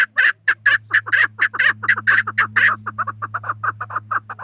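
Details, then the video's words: A chukar partridge repeating harsh, clipped chuck notes at an even pace, loud at first and then softer, quicker notes continuing; a low electrical hum runs throughout. "Chakor Partridge Voice"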